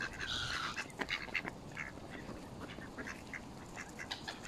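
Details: Mallards feeding alongside Canada geese at Smith's Pool, Fenton, Stoke on Trent, UK, on 21 November 2021, recorded on a mobile phone: a dense chatter of short, harsh calls, with a louder burst at the start and then scattered notes.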